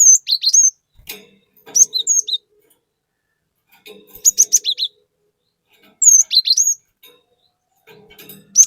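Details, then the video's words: ['High-pitched song of a lively cinereous tit used as a lure: quick clusters of piercing, slurred whistles, each phrase under a second, repeating about every two seconds with faint low clicks between.'] "Pancingan Burung Glatik Batu Gacor Fariasi Glatik Bahan Auto Emosi || Glatik Batu Gacor Nembak"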